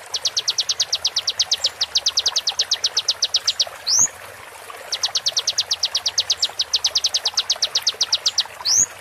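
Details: Konin master recording for training caged birds: two long bursts of fast, high, evenly spaced ticks, each closed by a single bright upward-sweeping whistle.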